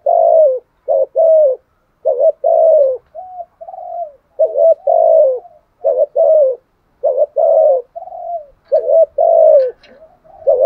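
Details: Spotted dove giving fighting coos in a voice style locally called 'thổ'. Deep, mellow coos repeat in quick pairs and short bursts, each note sliding downward, with a few softer, flatter hooting notes between them and brief pauses throughout.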